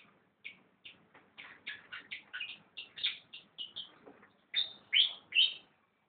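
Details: Fantail delivers a sequence of short, high chirped notes, about two per second, rising in pitch and ending with a few brighter whistled phrases.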